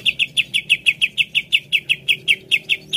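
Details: Cucak ijo (greater green leafbird) lure song: a steady rapid series of identical sharp chirping notes, roughly five per second, continuing evenly for three seconds, with a faint low hum underneath.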